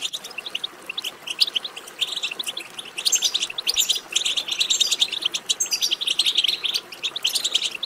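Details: Several European goldfinches twittering at once, played to stimulate a goldfinch to sing; thick, continuous high chatter of overlapping chirps and trills, building louder after three seconds.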